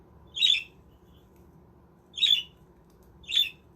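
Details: Captive budgies in a self-built aviary village: three rough, raspy squawks, the first two separated by a long pause and the last two closer together, above a soft low hum.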